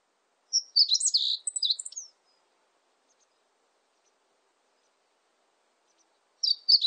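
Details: Meadow bunting singing, 2020 recording: one bright, rapid phrase of high chirps and sharp notes, then about four seconds of quiet before the next phrase begins.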